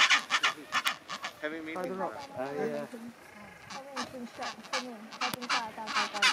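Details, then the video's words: Chinstrap penguins bray like donkeys in a busy colony at Orne Harbour, Antarctica, January 2023: harsh stacked honking phrases rising and falling, many birds calling over each other, people talking nearby. "Chinstrap Penguin Colony"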